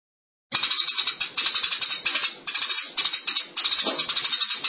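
Eurasian tree sparrows chatter in a dense, rapid run of high, dry chirps, coming in bursts of about half a second with no other clear sounds.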